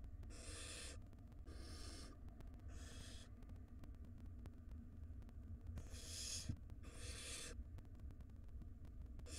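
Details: ['Wild barn owl nestlings in a nest box being fed by their mother; a series of five rasping hisses in two clusters, roughly one per second, over constant low hum.']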